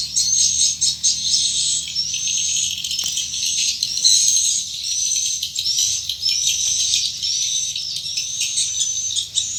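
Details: High chattering twitters of swiftlets flying into the nest at a swiftlet building's entrance, overlaid by short thin whistles recurring every second or so.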